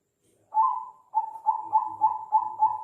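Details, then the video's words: Zebra dove of the Bangkok perkutut type, kept as a competition songbird. One drawn-out mellow coo is followed by a quick run of six short, soft, even coos, each about a third of a second apart, all on one low pitch. The background is quiet. "Suara Unik Burung Perkutut Bangkok"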